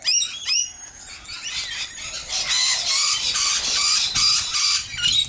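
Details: Baby rainbow lorikeets heard in the background at a backyard bird-feeding spot in Nerang, 13 Sep 2019, keep up a dense, shrill, screechy chatter of overlapping high calls, about two or three a second, with a person speaking briefly.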